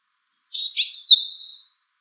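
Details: Single call from a wild Japanese tit: a burst of scratchy high chirps sliding into a drawn-out, thin whistle held steady before fading; no other sounds.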